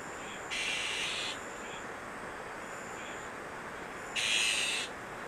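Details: Azure-winged magpies raising chicks at Maeji-ri, Wonju, Korea: two harsh, hissing bursts, each under a second long, separated by about three and a half seconds, over a steady broadband rushing background.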